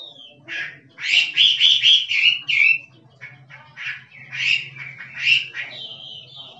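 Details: A forest Chinese hwamei sings kích trống style: a sliding whistle, then a loud rapid string of rich trilled notes, quieter scattered phrases, and a final flurry of bright whistles.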